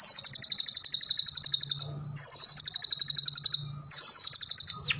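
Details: Gacor song of an Indonesian cendet (long-tailed shrike): three long, dense, high trills, each near two seconds, separated by short gaps, ending in a downslurred note, with a faint low hum beneath.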